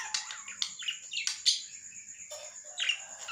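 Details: Lovebird chattering busily with a rapid jumble of squeaky chirps, scratchy twitters and short screeches, closely packed and uneven in rhythm, over a continuous high background whine.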